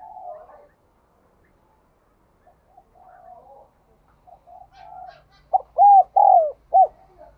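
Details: Spotted dove with the giọng đồng kim ringing voice. Quiet warbled murmurs give way to one loud phrase of low coos: a clipped start, two long arched notes and a short closing note.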